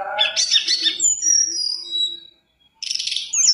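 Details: A lively hill blue flycatcher, recorded as a lure to prompt other flycatchers to sing, gives a fast, busy chatter, then a few clear high whistled phrases, a short pause, and another rapid scratchy burst.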